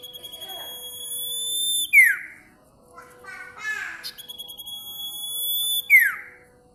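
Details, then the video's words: Bar-winged prinia singing sharp, high-pitched phrases. Two long sustained whistles each drop away in a fast descending slur, with a short buzzy, chattering note between them. "SIRTU GACOR BUKPAR SOBEK-SOBEK!. VOKAL MELENGKING TAJAM!"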